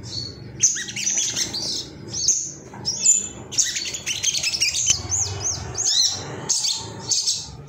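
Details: Ruby-cheeked sunbird male, excited and looking for rivals, delivering high squeaky chirps and quick downslurred notes in irregular bursts, with a soft low background rumble.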